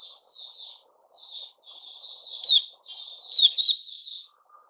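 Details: White-crowned shama in fresh feathers after the season's moult gives separated high whistled notes, then louder sweeping phrases with sharp rising flourishes and short gaps between.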